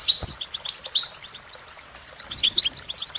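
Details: European goldfinch singing a bright, rhythmic twitter: crisp high chirps repeated several times a second, mixed with tinkling and slightly buzzy notes, clear over a quiet background.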